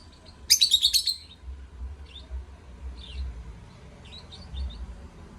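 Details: Lovebirds singing: a rapid burst of about six sharp high chirps in half a second, then scattered faint twittering notes across the rest, with a low background rumble.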